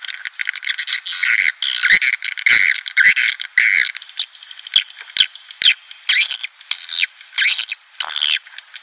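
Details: Swiftlet calls used as a lure for breeding colonies at a nest house: a rapid buzzy chatter, followed by separate rising, slurred chirps about twice a second.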